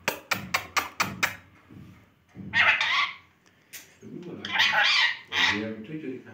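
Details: Ring-necked parakeet talking to a mirror among other parrots in a new home, chattering in a speech-like string: six sharp clicks, then bursts of raspy, mid-pitched babble and mimicked words.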